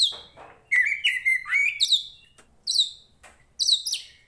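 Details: Poci-type Oriental magpie-robin from Tretes, a fighting contest bird in full song: clear whistled notes, some slurred upward, followed by short bursts of high sharp chips, separated by brief silences.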